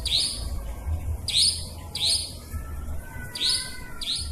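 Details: Nightjar sounds used to lure birds for trapping, blended with forest nightjar calls. Clear, sharp high chirps come in quick pairs at uneven intervals, over a steady low background rumble.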